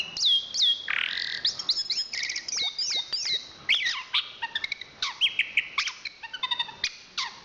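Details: Chestnut-capped thrush (Zoothera interpres), a national champion songbird from Southeast Asia, singing a fast, varied medley of whistled notes, sharp chirps, rising and falling slurs and short rattling trills in dense bursts with barely any pause.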